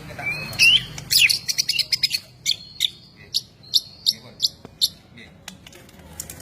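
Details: White-rumped shama of the Medan variety opening with rising whistles, then a series of sharp, high chipping notes spaced roughly half a second apart, with a faint low hum beneath.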